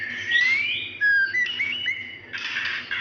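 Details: Female white-rumped shama calling for a male, a lure call for a silent male: clear rising and falling whistles, some held briefly, then a burst of harsh rasping notes.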